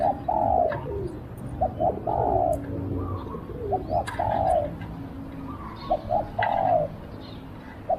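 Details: Decoy spotted dove calling for wild doves: four repeated phrases, each short quick notes building into a sustained, slightly falling coo, with occasional clicks and faint chirps.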